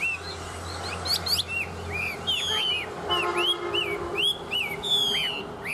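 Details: Tame captive Chinese hwamei in good song, giving a string of clear looping whistles and upslurred notes with sharp trilled bursts, over a steady low droning background noise.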